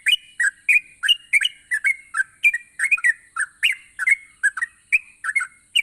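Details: Yellow-vented bulbul pouring out song to rouse inactive birds: continuous bubbly whistled notes in rising and falling pairs, about three a second, unbroken for the whole stretch above a constant faint high hiss.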